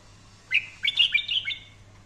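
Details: Red-whiskered bulbul in daily song-training material, praised as a fine, fiery singer: one rapid, warbling phrase of bright, bubbling whistles lasting about a second, against a quiet low hum.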